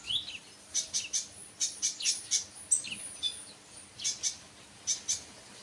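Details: Sunbird calling in thin, very high, clipped chirps, repeated in loose groups of two or three about once a second, with faint background hiss.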